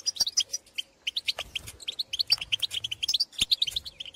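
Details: European goldfinches out in the field, their calls answering others of the species: a dense, continuous run of sharp tinkling chirps and twittering phrases with scarcely a pause.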